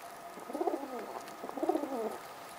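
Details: Mother pigeon feeding her chicks and talking to them: two short bursts of soft, low, throaty cooing about a second apart, each a quick warbling cluster of notes, over a steady faint background hum.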